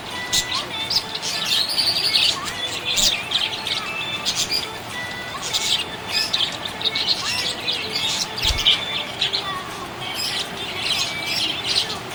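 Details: Happy budgerigars chirping: dense, overlapping high twittering and warbling notes with short bursts of chatter, continuous throughout, with faint background music.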